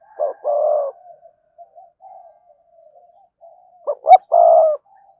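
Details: A spotted dove used as a decoy for wild doves gives two deep cooing phrases, each with short clipped notes and a sustained low coo, separated by a stretch of soft murmuring.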